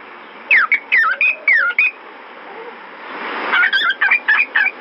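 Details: Caged albino fawn pied cockatiel: rapid chirpy, whistled notes that swoop down and up, in quick bursts of about four, with a pause before a second bout; a rushing noise rises midway.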